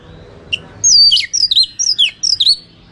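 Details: Oriental magpie-robin (kacer) in loud 'ngeplong tarung' fighting song used to provoke rivals: after a faint lead-in note, a burst of sharp whistled and slurred phrases, high and rapidly varied, over low background hum.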